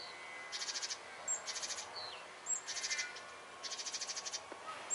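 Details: Great tits scolding a cat that was hunting birds: an alarm and warning call of harsh, buzzy churring rattles, four half-second bursts in quick succession, separated by thin, high whistled notes.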